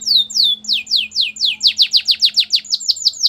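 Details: Belgian canary singing: repeated descending whistled sweeps from high to mid pitch, slow at first then speeding into a rapid even series of about a dozen short downslurred notes, clear and loud with a faint low hum behind.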